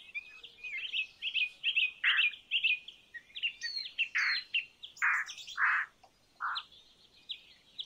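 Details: Indian roller croaks, a handful of rough, rasping notes in the second half, over busy high twittering and chirping from other birds.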